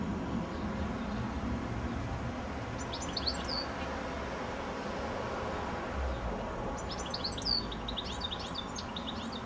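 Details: From a telephone wire high up before sunset, a goldfinch gives two bursts of jumbled high twitters and chirps several seconds apart, separated by quiet stretches of low background hum.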